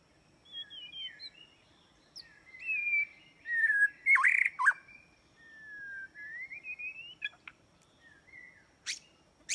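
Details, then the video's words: White-rumped shama song used to lure birds into a trap: thin whistles, a loud burst of harsh mixed notes, then long rising whistled glides and a few sharp high clicks near the end. "Jebakan burung murai batu"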